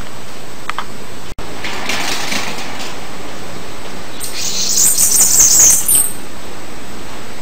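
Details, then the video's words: Soft scattered notes early on, then a Bananaquit delivers a loud, high, wheezy trill of rapid squeaky notes lasting almost two seconds. "CANTO DA CAMBACICA"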